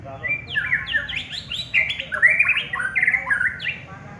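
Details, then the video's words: Champion contest white-rumped shama pouring out a rich, varied song of loud whistled, slurred and warbling notes, rising and falling in rapid succession for about four seconds. "BURUNG MUARAI JUARA"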